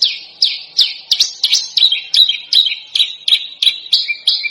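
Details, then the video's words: Bird screeching used to tutor contest birds, in a dense, harsh style with sharp bursts. Piercing, down-sliding high notes come at an even pace, about every third of a second, throughout. "Masteran Burung Lomba JERITAN RAPAT DAN KASAR FULL TEMBAKAN TAJAM"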